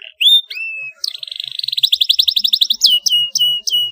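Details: Canary song to spur other canaries to sing: rising whistles, then a rapid trill of repeated notes, finishing with several separate downward-sweeping whistled notes.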